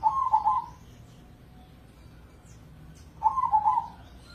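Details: Zebra dove of perkutut crossing stock from Indonesia, a prize-winning bird used as a lure to make other doves sing. Two mellow, rolling triple-pulse coos are separated by roughly three seconds of near quiet.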